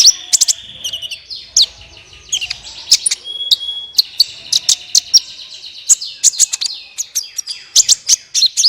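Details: Energetic sunbird song used as a singing lure: rapid series of sharp high chirps and ticks over a steady thin whistled tone, with brief rattling trills, nearly nonstop.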